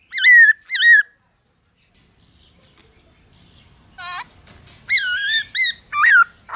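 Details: Black-throated laughingthrush in its 'forest voice', a song for stimulating other laughingthrushes: two bright wavering whistles, a pause, then a burst of several loud ringing notes, one dipping sharply.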